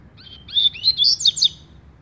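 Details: Double-collared seedeater of the song style called tui tui zero zero (pirata), delivering a short fast phrase of bright high whistled and warbled notes rising in intensity, in a quiet setting.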